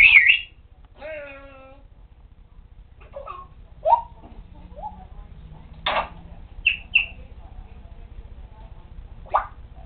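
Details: A pet African grey parrot whistling many tunes: varied short whistled notes, some rising and falling, a longer harmonic note, and sharp chirps at uneven intervals, over a steady low background hum.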